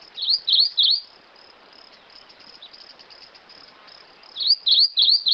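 Rufous-crowned Greenlet giving a short run of three high, sharply swept notes, repeated after a pause, over a steady high insect hiss.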